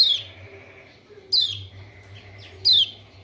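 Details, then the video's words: Call of the kecial kuning white-eye from Lombok, played to provoke silent birds to answer: three thin, high notes sliding sharply downward, about one every 1.3 seconds, with a soft low electrical hum beneath. "PANCINGAN TERBAIK BUAT PERANSANG KECIAL KUNING MALAS BUNYI ( burung pleci lombok)"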